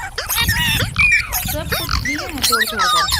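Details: Short run of green parrot chatter: quick harmonic chirps and a few longer, flat whistled notes amid scratchy noise.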